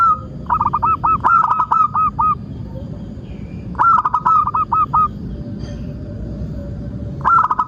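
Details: Local zebra dove song for luring and training other doves to sing: three phrases, each a whistled opening note followed by fast, stuttering coos, separated by pauses of several seconds, with faint distant calls and background hiss.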